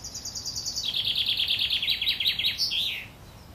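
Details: Nestling wrens begging while their mother feeds them at Worthington Lake, Standish, Wigan: loud, rapid high-pitched chirps in a dense chattering string that drops to a lower tone, closing with a short slurred note.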